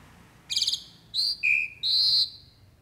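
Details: Jalak uret starling singing energetically: a harsh buzzy rattle followed by three clear whistled notes, the second lower and the last long, drawn out and fading, over a quiet background.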